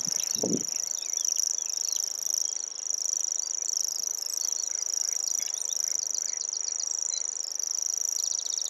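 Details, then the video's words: A grasshopper warbler reels without a break, a high, dry, insect-like whirring held on one pitch. Other birds chirp and trill faintly behind it, with a soft thump at the start. "Grasshopper Warbler and its song"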